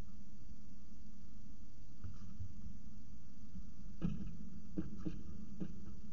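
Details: Low steady hum with a few dull knocks in the second half, and no animal calls.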